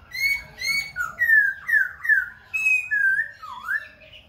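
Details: Khe Sanh laughingthrush performing continuously while dancing and switching voices: a loud series of about nine clear whistled phrases, some level, some slurring down, with a final rising slur, each roughly half a second apart.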